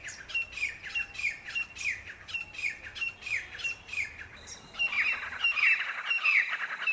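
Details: Grey francolin giving sharp, high, repeated call notes about one and a half times a second, which grow louder and denser toward the end, amid a hissy outdoor background.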